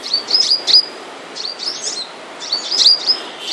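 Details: A kept flowerpecker in moult gives thin, very high ticking chirps in three quick bursts of four to six notes, each burst separated by about a second of quiet.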